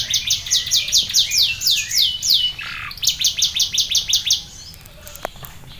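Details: Champion canary tutored with bar-winged prinia (ciblek) song. Rapid series of high, identical down-slurred chips, about three per second, in two bursts separated by a buzzy note, fading into background hum.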